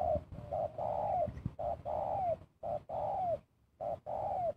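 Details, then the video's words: Spotted dove in a bird-luring setup, giving a two-part 'kuk' call: a short low coo followed by a longer falling coo, repeated about four times with brief gaps. "PIKAT TEKUKUR KUK DUA‼️"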